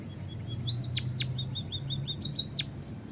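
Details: White-headed munia in full song, used to lure birds for trapping: soft level pips around sharp high downward-swooping whistles in short bursts, over a steady low hum.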